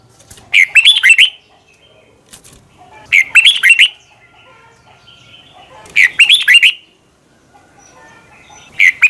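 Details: Red-whiskered bulbul giving intense morning training song, recorded in 2020, with long twisting double-voiced phrases: four bright, warbled bursts of quickly slurred notes, each about three seconds apart, with near silence in between.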